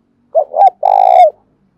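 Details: Spotted dove calling in the morning in Đồng Nai, Vietnam: a loud, close, mellow phrase of two quick short coos and then one long, slightly vibrating, drawn-out coo that falls away at the end, with a silent background.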